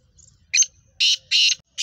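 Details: Short burst from a black francolin (kala teetar) of Sheedi cross type with nasal chakri voice: a quick opening chip followed by three harsh, broad, grating notes in fast succession.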